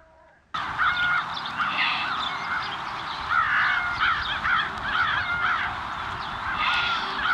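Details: Flying flock of American crows calling at Montrose Point, Chicago, in fall 2022: many overlapping harsh, nasal caws in quick irregular bursts, several birds at once, over a steady background hiss.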